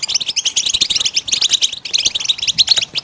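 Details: Goldfinch song with bright, rapid twittering in quick bursts, liquid chirps mixed with short nasal buzzes, pausing briefly near the middle before resuming.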